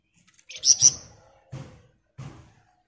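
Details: Sunda bush warbler singing densely in ngebren fashion: a brief high buzzy phrase with two loud peaks, then two soft low thumps.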